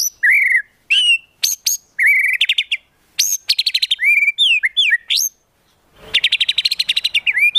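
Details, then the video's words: Varied white-rumped shama song from a masteran for contest birds: rich slurred whistles and sharp high notes in quick succession, then a brief pause and a long rapid chattering trill. "MASTERAN MURAI BATU FULL ISIAN TEMBAKAN MEWAH UNTUK MURAI BATU LOMBA"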